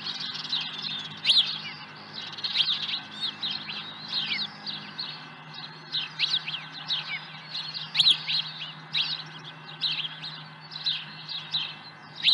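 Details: Osprey at a ranch nest with an early-morning fish, 30 April 2020 around 7 a.m.: bursts of piercing high chirps and whistles repeat every second or two, louder accents recurring about every three seconds, over a faint steady hum.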